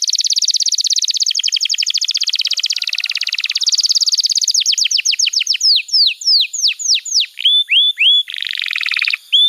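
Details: Canary song used as a master recording to teach young canaries: a long dense buzzy roll, then rapid falling whistles slowing into clear slurred notes, ending with a harsh buzzing burst.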